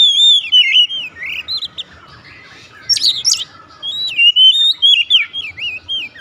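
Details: Loud 'nembak' song of an Oriental magpie-robin: sweet descending whistled warbles, a pause, a cluster of high sharp chips, then more rich looping whistles at a steady mid-high pitch.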